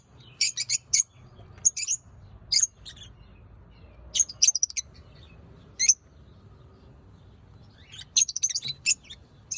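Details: Lovebirds chirping: sharp, high, scratchy chirps in short clustered bursts every second or two, with brief quiet gaps between groups and a low hum underneath.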